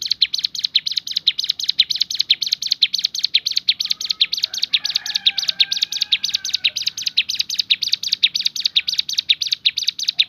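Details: Bar-winged prinia song variation called 'tembakan': harsh, buzzy, broadband notes repeated roughly twice a second in a steady, insistent chatter, with faint thin whistles of another bird midway.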